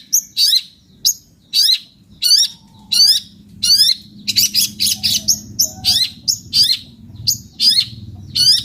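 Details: Long-tailed shrike in full song, repeating harsh, scratchy, high-pitched notes at an uneven pace, briefly speeding into a quick run of chattering notes, over a faint low rumble.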